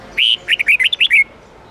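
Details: Clear red-whiskered bulbul phrase in the 8-9-10 note twisting style used to train caged birds: an opening held whistle, then roughly eight quick warbled notes ending on a short falling slur.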